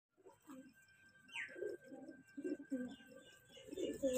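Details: Pigeons of the kanta kash breed, a young breeding pair kept by a fancier, give repeated low cooing notes in short pulsed bursts, with a faint steady whine and a brief rising whistle in the background.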